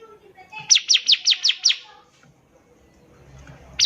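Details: Bar-winged prinia in active song, used as a tutor recording for young birds learning to sing: six sharp, high, downward-sweeping notes in quick even succession, then a pause before another note begins.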